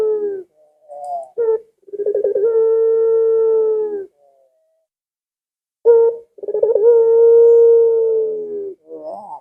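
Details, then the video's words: Lure call of a Barbary dove for pet doves: two long, level, low coos, each begun with a rapid trembling stutter, separated by a pause of about two seconds. "Suara Burung Puter Ini Memikat Puter Anda Dirumah Sehingga Ikut Bunyi"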